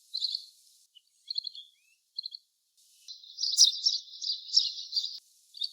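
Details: Little green bee-eater uttering clipped, high trilled triplets, then a long rolling nasal chatter lasting about two seconds, with brief trills at the start and end.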